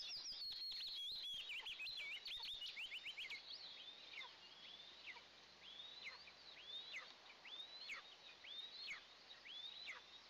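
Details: Eastern imperial eagle nest with two eaglets, first breakfast of the day, 29 June 2024. A fast run of high warbling chirps slows into separate thin, downslurred whistles about once per second.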